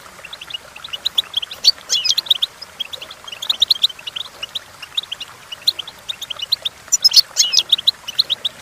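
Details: Goldfinch song for teaching goldfinches to sing: dense, rapid twittering with repeated buzzy, trilled flourishes, the loudest burst toward the end, over a quiet background.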